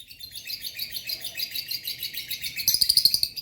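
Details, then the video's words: Pair of pet lovebirds chirping softly: a steady stream of thin, high twittering notes, then a harsher rapid chatter of clicking pulses in the final second. "Lovebird sounds"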